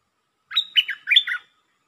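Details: Red-whiskered bulbul singing one lakboen (double) style phrase: about five chuckling, warbled whistled notes delivered quickly, rising and dipping within a second.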